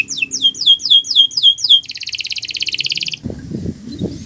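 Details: Canary song used as a master recording for other birds: loud down-sweeping whistles repeated about four times a second, then a fast high trill, followed by a few low thuds.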